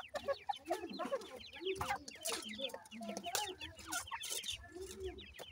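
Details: Brown chicks of an Iranian partridge (irani teetar) being fed by the parent, giving a busy overlapping stream of quick high cheeps and chirps, mixed with deeper, softer clucks underneath throughout.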